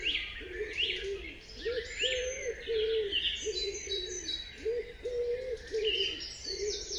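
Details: Early morning dawn chorus of several birds: a soft, low, rounded whistle repeated in a steady series, while higher chirps, short trills and twitters from other birds overlap above it against a constant hiss.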